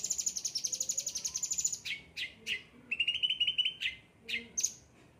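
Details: Cucak ranting, ocean green and yellow-headed, singing with vigour: a high rapid trill lasting under two seconds, followed by separate sharp sweeping chirps and a brief lower buzzy trill.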